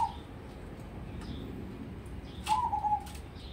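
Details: Crossbred zebra dove prospect for song competitions: one short rolling, slightly descending trilled coo near the end after a near-silent stretch, against low background hum.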